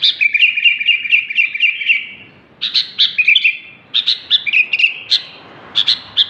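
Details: Sooty-headed bulbul singing busily: an even run of quick repeated chirps slows into a brief gap, then resumes as clipped, bouncy notes and buzzy trills in uneven bursts. Nothing else is heard.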